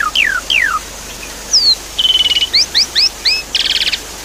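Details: Javan pied starling song, aimed at getting a silent bird singing, with water in the background: descending slurred whistles, a flat buzzy note, paired rising chirps repeated four times and a harsh rapid rattle.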